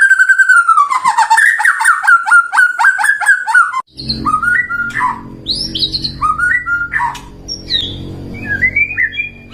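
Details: White-rumped shama song used as a lure to stimulate caged shamas into responding, opening with a loud rapid string of sliding whistles and clicks, then after a break scattered varied whistled phrases over a low background hum.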